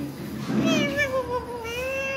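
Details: Pet Indian green ringneck parrot talking, apparently asking in Hindi for the gate to be opened; a bright, nasal, voice-like phrase with a slowly wavering tone, preceded by a short, lower, muffled sound.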